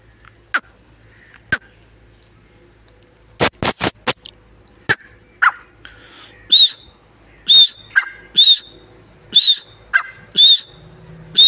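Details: Partridge, locally called teetar, calling: after scattered sharp clicks and knocks, a clear, high, arched note rings out about once per second, repeated six times over the last five seconds.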